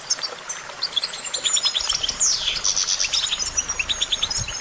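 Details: Goldfinch song of rapid chirps and a long thin high whistle, broken by a sharp downward-sweeping note, with steady twittering around it.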